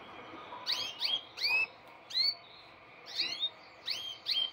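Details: Male canary in breeding season singing vigorously to a female dressed in red, with rapid upward-sweeping whistled notes in short bursts, several per second, above a soft background murmur.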